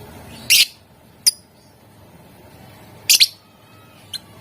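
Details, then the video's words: Lovebird chirping used to get other lovebirds singing: two loud raspy double bursts about two and a half seconds apart with small thin clicks between. "Ampuh buat Burung LOVEBIRD ikutan Gacor, Dijamin Puass Sama suaranya"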